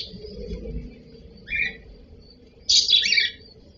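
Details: Cockatiel (cocktail parrot) making a short mid-pitched chirp, then after a gap a longer, louder, raspy call with several rapid rising notes, over a soft low hum.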